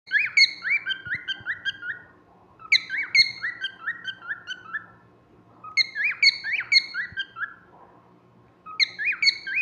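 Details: A happy Cockatiel whistles bright, bouncy phrases that step downward, repeated about every three seconds.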